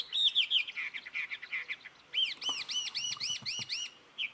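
Jungle Babbler giving a rapid, harsh, squeaky chatter, then about seven arched, ringing notes at roughly four per second, with faint low knocks in the background.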